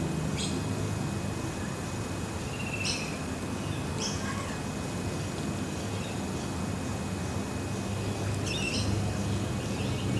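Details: Scaly-breasted lorikeet (Trichoglossus chlorolepidotus), call.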